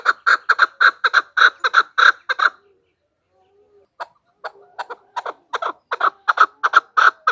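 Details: Chukar call, described as a female chukar voice used as a hunting lure: fast runs of harsh, clucking chuck notes, about three a second, a brief break, then a rising, insistent series.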